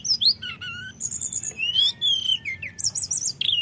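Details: Rival-provoking lure song of common iora in a fluting, rolling style: sweeping high whistles, a long sustained slurred note, and quick chattering trills near the end.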